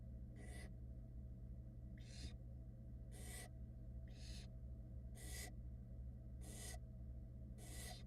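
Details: Seven rasping, noisy hisses from barn owl nestlings at a Florida nest box in 2022 while the soaked mother dries herself, bursts roughly a second apart above a constant low hum.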